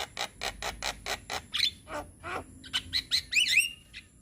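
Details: Young Javan myna lure song: a run of evenly spaced harsh, rasping chirps about every quarter second, then a couple of squawks and a quick cluster of sharp rising whistles, over a faint constant high hum.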